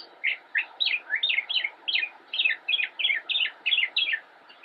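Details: Young northern mockingbird in Cabarrus County, North Carolina, singing from a bush in October 2016; a run of about fourteen similar descending chirped notes repeated roughly three times a second, steady and clear.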